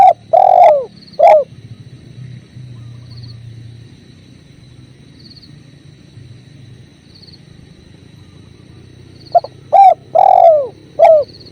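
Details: Hollow, mellow cooing of a spotted dove (tekukur) beside a clear river, recorded as a masteran: a phrase of coos at the start, a long stretch of steady water rush, then another phrase of three to four coos near the end.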